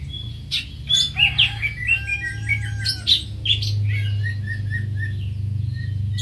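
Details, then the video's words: Greater green leafbird singing a burst of varied squeaky chirps and slurred whistles. A row of soft, evenly spaced notes follows while a droning hum rises behind. "Greater Green Leafbird (Bird Singing 74)"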